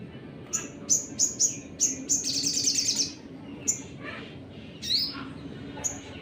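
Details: Sunbird (sogon) 'nembak' lure song, played to agitate other birds: quick run of piercing high chips that speeds into a dense buzzy trill, then scattered single chirps and a falling whistle, with faint low background noise.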